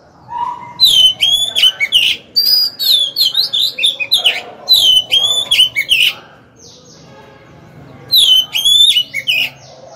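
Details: Oriental magpie-robin kept as a decoy, singing to lure wild rivals into a fight: loud whistled phrases with sliding, rippling notes, given in three bursts separated by short pauses.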